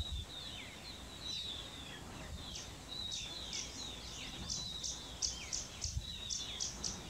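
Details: A very hungry Blue-bearded Bee-eater, sitting on stairs and catching flies at close range, gives short, sharp chirping notes in quick irregular bursts, high-pitched and repeated, over a low background rumble.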